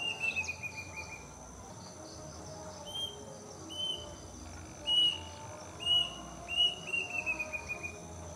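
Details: Plaintive cuckoo in a mango tree near a house in the afternoon, recording shortened by cuts, giving mournful high whistles, quick descending runs at start and end, single notes about a second apart between, over steady insect trilling.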